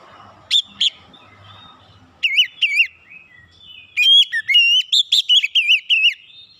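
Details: Oriental magpie-robin song: two short whistled notes, then a brief warbled phrase, then a long run of bright, quickly repeated whistles and trills lasting over two seconds, loud against a quiet background.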